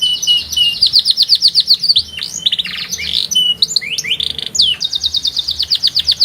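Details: Canary song in a distinctive rhythm: fast repeated high chirps, then swooping slurred notes and rising whistles, returning to a quick steady chirping series.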